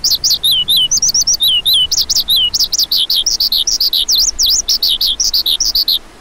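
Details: Lark song of fast, sharply slurred whistles, many notes swooping down then up, strung together in an unbroken, energetic chatter.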